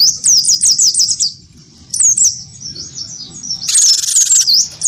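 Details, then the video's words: Cinereous tit, wingko type, caged and provoked into a fighting song with a white-eye. Fast repeated high swooping whistles about three per second, a pause, then softer notes and a rasping buzz. "gelatik batu wingko gacor pancing bunyi tarung sama burung pleci"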